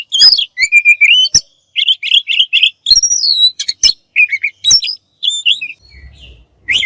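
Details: Masteran of an Oriental magpie-robin in full isian and tembakan style. It gives crisp repeated whistled notes and quick buzzy chips in short spaced bursts, then trails off into near silence.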